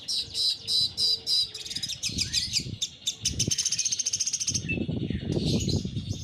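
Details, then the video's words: Long-tailed shrike, post-moult with a voice still weak, delivering bursts of high chattering notes, then a fast even trill of many short repeated notes, ending in scratchy phrases over low rustling. "cendet pentet pasca mabung volume belum pulih"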